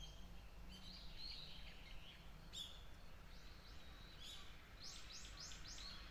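A white-eye gives thin, high chirps, then a quick run of four arched notes near the end, over a steady low rumble of wind or distant traffic.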